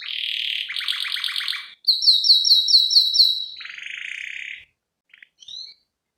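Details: Canary with ornamented fill-in song, recorded as a lure and tutor track: a buzzy roll, a rattling tour of repeated notes, bright ringing chirps, a lower buzzy trill, then a few scattered short notes before silence.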